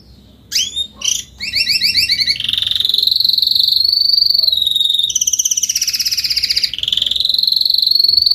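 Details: Adult Spanish Timbrado canary song: a few sharp upward-sweeping notes, a short double-toned trill, then long continuous metallic rolls that shift pitch slightly, repeated rapidly at about three pulses per second and beyond.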